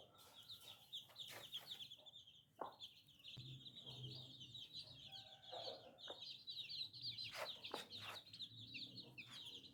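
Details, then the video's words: Several new little baby chicks peep without pause: shrill, high, slightly wavering cheeps run together in a dense chorus. Sharp clicks and knocks break in every second or so, with a low rumble at times. "Chicken Free Sound || Funny Chicks baby"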